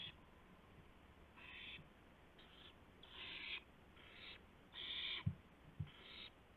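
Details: Owl at 2:51 AM, 2 April 2016, arriving with a gopher for another owl: a run of harsh, breathy screeches of varying length, some grouped close together, with a few dull thuds near the end.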